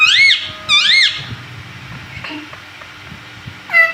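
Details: Pet parrot indoors imitating speech, the word mummy: two clear, arched, whistled syllables in quick succession, a quiet stretch with faint sounds, then a single falling call at the end.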